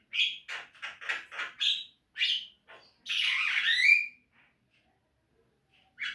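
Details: Javan myna singing in a recording meant to prompt caged birds to sing: a quick series of harsh chattering notes, then a longer grating phrase that ends in a whistle.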